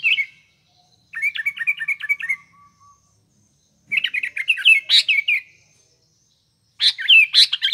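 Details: Busy sooty-headed bulbul song meant as a morning, afternoon and night lure: rapid runs of even chirping notes lasting over a second each, then denser jumbled chattering bursts.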